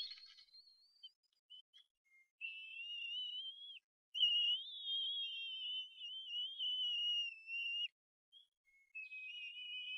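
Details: Begging cries of two self-feeding bald eaglets on a Harrison Bay nest camera, May 18 2015, when a parent arrives with food: drawn-out high whistles, two wavering tones running together as if harmonizing, separated by brief silences.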